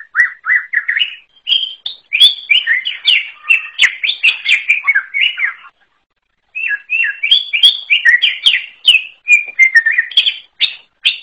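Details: Wild greater green leafbird singing a long, varied run of quick whistled and chirping phrases, slurred notes rising and falling, a brief pause midway before the rich warbling resumes.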